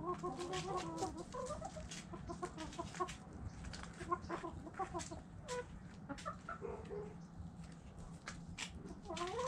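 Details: Hens clucking: scattered short, nasal clucks and little tonal notes throughout, mixed with tapping and rustling sounds over a steady low hum.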